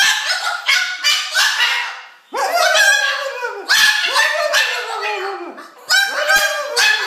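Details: Female pet Moluccan cockatoo, described as very talkative, talking to a person on a couch indoors: a quick run of short raspy syllables, then longer drawn-out harmonic utterances that bend downward at their ends.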